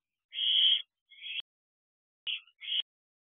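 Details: Owlet of a barn owl pair in a nest box late at night, 14 June 2023, with a large rodent; one long raspy hiss followed by three shorter, clipped hissing bursts separated by a silent pause.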